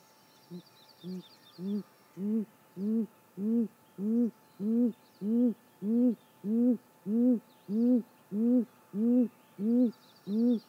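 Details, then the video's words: At dawn, 6:19 am on 28 May 2017, a female great grey owl on her nest gives a long, very even series of deep hoots. The first two are faint, then some fifteen full notes follow, about one every 0.6 seconds. Small birds chirp faintly overhead. "Great Gray Owl Nest Female treats us to some great vocals"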